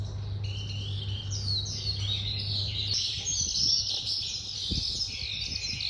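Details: Young red-whiskered bulbul singing with a wing-flicking display from its perch, 14 days after its April 2024 moult; sweet, slurred whistled phrases rise and fall, with a low hum fading out halfway and faint knocks.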